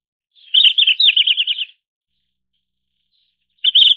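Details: Single rapid phrase from a red-flanked bluetail, a jumble of high chirps running into a fast rattling trill, followed by silence and the start of another phrase.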